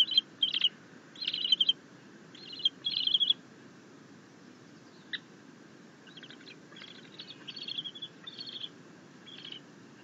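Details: Happy bald eagle eaglet chittering while its mother delivers a fish to the nest; bursts of high, rapid twittering notes in clusters, pausing, then a longer run of chatter near the end over faint hiss.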